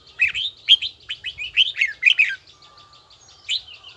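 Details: Caged red-whiskered bulbul in voice training, singing a bell-toned song: a quick run of warbled, rising and falling whistled notes in the first two seconds, then a pause and one short phrase near the end.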